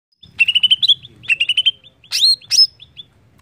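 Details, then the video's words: Greater green leafbird song, played to prompt another leafbird to sing: two quick series of bright, clipped whistled chirps, each followed by two louder, rising sweeping notes, with a faint low hum underneath. "Cucak ijo langsung bunyi dengar ini!!"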